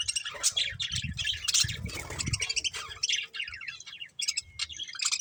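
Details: Breeding pair of budgerigars keeping up rapid, raspy high chatter and chirps, with low rumbling noise during the first half.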